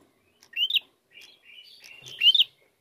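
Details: Lure recording of a prinia in the 'narung' style: a sharp, rising, whistled upslur, softer buzzy twittering notes in between, then a second loud upslurred note with clicking.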